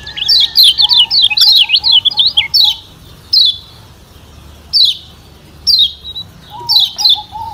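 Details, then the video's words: Yellow white-eye (kecial kuning, Lombok white-eye) giving a rapid run of thin, high, sweeping chirps, then sharp chirp bursts every second or so, over a faint lower whistled note; used as a provoking call for other birds. "Pancingan Kecial Kuning Ciak Joss DOBLE"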